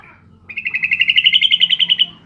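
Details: Female sooty-headed bulbul calling to a male, played as a lure; one rapid, bright trill of evenly spaced notes lasting about one and a half seconds, rising slightly in pitch toward the end.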